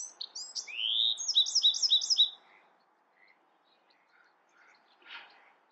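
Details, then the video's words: Bewick's wren gives one full song: clipped high notes lead into a rising buzzy sweep and a rapid run of five repeated chips. Quiet scattered bird notes follow in a mostly still background. "Beautiful Bewick's Wren Songs |Calling | Singing!"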